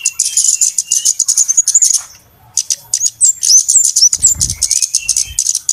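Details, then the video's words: Flowerpecker lure sound for trapping birds: steady shrill chipping, a short pause, then a run of bright downslurred whistles among the ticks, with a low thud near the end. "SUARA PIKAT BURUNG KEMADE RIBUT/ BURUNG CABE-CABEAN"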